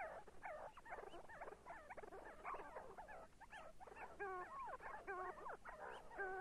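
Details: See-see partridge: many overlapping whistled and chirping notes from several birds, with stacked, slurred calls that rise and fall, delivered in a busy, continuous chatter.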